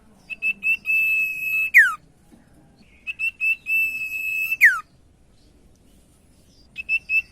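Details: Lure song of a common iora to spur silent birds into singing: stuttered high notes building into a sustained pure whistle that drops steeply at its end, repeated twice, with a few clipped notes at the close.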